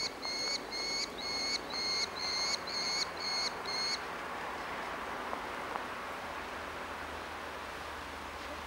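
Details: Merlin chick, orphaned, begging for food at Engerdal, 4 July 2011; about seven high, piercing squeals in quick regular succession over four seconds, then quiet with soft background hiss.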